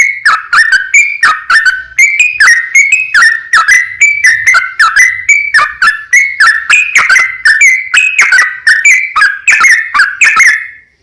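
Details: Lively, long rapid 'ropel panjang' song of a yellow-vented bulbul, used to draw other bulbuls into song: a long, steady chain of quick whistled chirps that rise and fall in pitch, running for about eleven seconds before fading.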